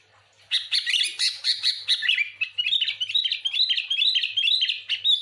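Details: Sooty-headed bulbul in lively, noisy song used as a lure to draw other bulbuls and get a quick response: dense, rapid chattering and twittering notes, bright and busy, pouring out almost without pause.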